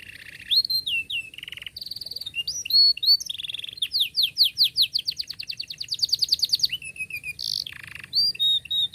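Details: Long, energetic canary song meant to teach young canaries to sing: varied whistled phrases, sharp upsweeps and a fast, tightly rolled trill of repeated rising notes, loud and clear against near silence.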